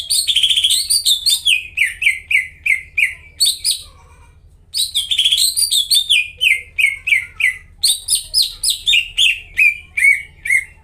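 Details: Greater green leafbird lure song for birds that have stopped singing: a loud, bright opening followed by cascades of rapid downward whistles repeated several times a second. A short lull comes before a second, similar cascade, with a constant low hum.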